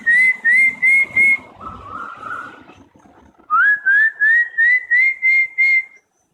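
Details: An Asian koel near a home, trading calls in a back-and-forth exchange: clear, rising whistled notes about three per second, in runs of four and eight separated by a brief pause, faint background rumble.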